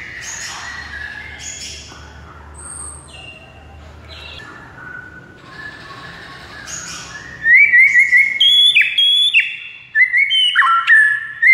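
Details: White-rumped shama singing, intended to stir a mute bird into vigorous song: faint mixed chirps over hiss at first, then loud repeated whistled phrases with abrupt pitch steps in the final seconds.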